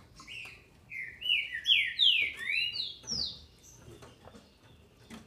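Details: Green-winged saltator female, bred in captivity in Brazil, singing to excite males: a rich phrase of about eight loud, slurred whistles, each gliding downward, delivered in quick succession over a quiet background.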